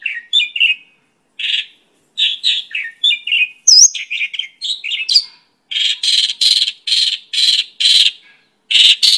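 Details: Mongolian lark (pakling) song beginning with lower warbled notes and mimic-like phrases, then a steady run of harsh rasping notes repeated about twice a second.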